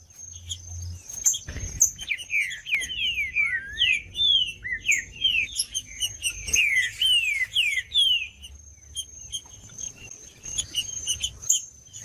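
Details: Green-winged saltator singing to stimulate other saltators: long bursts of rapid, tumbling whistled notes sweeping down and up, roughly two per second, mixed with sharp high chips and a steady faint high tone.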